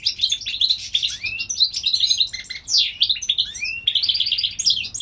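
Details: Springtime song of a European goldfinch hybrid from California: continuous lively twittering mixed with sharp downslurred and upslurred whistles and a rapid trilled phrase near the end.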